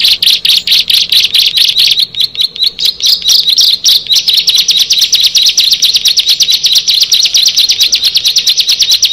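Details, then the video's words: Bar-winged prinias, six birds meeting: a dense, fast chatter of high, scratchy chirps, several birds overlapping, becoming a continuous rapid trill. "Tetangga Bisa Marah Kalau Ke 6 Burung Ciblek ini Sudah Bertemu"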